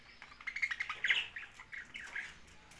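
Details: Young budgerigar chirping: a quick string of bright, warbled tweets in the first second, then a couple of softer chirps trailing off.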